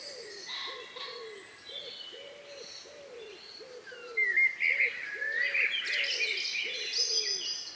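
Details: Dusk chorus in the countryside, May 2020 near 9 p.m.; a low cooing note repeats about every half second throughout while loud high whistles and trills burst in during the second half.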